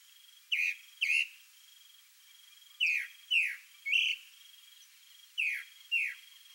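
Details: Chalk-browed mockingbird male displaying to a female: pairs of sharply falling whistled notes repeated with pauses, seven notes in all, over a steady faint high insect-like hum.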